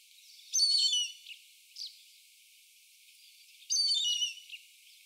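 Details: Indian grey hornbill calling: two harsh, squealing notes rich in overtones, about three seconds apart, each followed by a short softer note.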